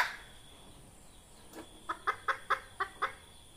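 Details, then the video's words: Red junglefowl hen, a call played to lure junglefowl for trapping: a quiet start, then seven sharp clucks repeated about every quarter second, with a faint high hum behind. "Tiếng gà mái rừng"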